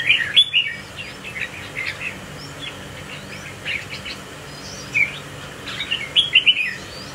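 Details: Red-whiskered bulbul in a group, shown close up while swaying in display; loud chirped notes open and close the recording, with softer scattered tweets and thin upslurred whistles between them over constant low noise.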